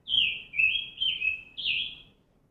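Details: A friendly Scarlet Tanager that came down to a bird-feeder area in 2020 sings four hoarse, burry phrases in quick succession, slurring up and down at fairly high pitch, like a robin with a sore throat.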